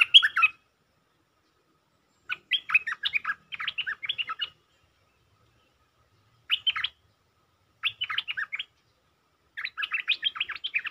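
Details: Territorial Stripe-throated bulbul, provoked and answering, sings repeated short bursts of rapid bubbly notes in 'sap rik' lure style. The bursts last about one to two seconds and are separated by silent gaps of one to two seconds.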